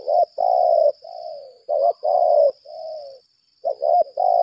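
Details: Decoy spotted dove of 'lambung kuk' type giving laga contest calls: repeated low hoarse coos, stuttered notes leading into drawn-out rolling coos, with one short pause. A constant thin high tone hums behind.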